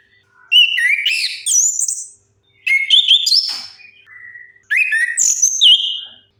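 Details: Song of an orange-headed thrush, played as a lure to make silent birds sing: three vigorous bursts of warbled, sliding whistles with high flourishes, about two seconds each, separated by short silences.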